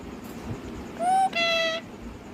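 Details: Pet parrot producing two loud, steady, tonal notes, each held for about half a second with rich harmonics, separated by a short break, over quiet room noise.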